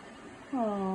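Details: Pet cockatoo, apparently missing its absent owner, gives a drawn-out, whining cry that slides downward in pitch and holds low, after a moment of quiet room sound.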